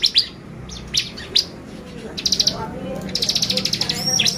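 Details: Bar-winged prinia lure song meant to excite other birds: sharp high chirps in short bursts, then rapid trains of even ticking notes near the top of the range, with a faint low background murmur.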